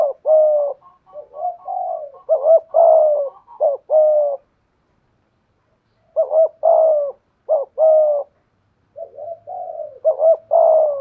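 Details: Cooing spotted doves, a decoy in 'thổ' style mixed with 'thúc gù' answering a wild dove: long runs of low, mellow coos, clipped and held notes chained together, broken by a two-second pause, then more bursts.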